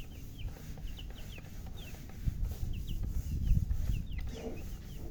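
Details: Newly hatched chicken chicks peeping loudly: scattered short, high, downward-sliding peeps, a few per second, over steady low rumbling background noise.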